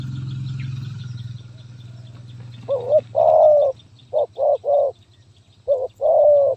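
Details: Spotted dove, a stuttering 'gagap tindan' (sepatah) song style, recorded 23 January 2022: after a low steady hum, loud mellow coos come in short grouped bursts, one long rolling note followed by two or three clipped notes.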